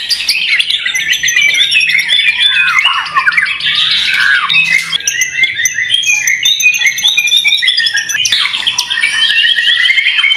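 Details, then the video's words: Continuous fighter-style song of a white-rumped shama kept for singing contests: harsh squawky chatter interwoven with thin high whistles and rapid varied phrases, sustained loudly for about ten seconds without a break. "Murai Batu Fighter Cocok untuk Kontes"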